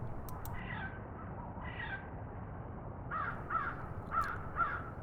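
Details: A crow in Hartsville, South Carolina gives a "pretty" call, like "oh where" or "I'm here", always twice and putting its whole body into it: harsh, nasal caws, two slower drawn-out calls, then four quicker, brighter caws in pairs, over a low rumble.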